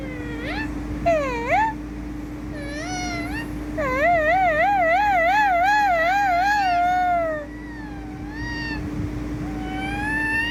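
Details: Pet ringneck parrot talking, producing a run of harmonic, nasal syllables, then a long wavering warbled phrase with rapid vibrato lasting about three seconds, followed by softer falling notes; a steady electrical hum runs underneath throughout.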